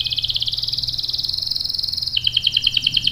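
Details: Canary delivering a long rolling song meant to set other canaries singing: a very fast steady trill gradually rising, then switching abruptly to a lower pulsing roll, with low background hum.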